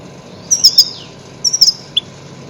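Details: Loud goldfinch calls played to lure and catch grey-headed goldfinches: two brief clusters of high, tinkling chirps about a second apart, ending with a single lower note.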